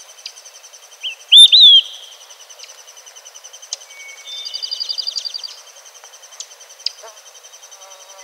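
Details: Olive-sided flycatcher in a Newfoundland forest gives one loud whistled "quick, three beers" phrase: a short note, a rising note, then a slurred fall. A dry trill follows against a steady high insect hum.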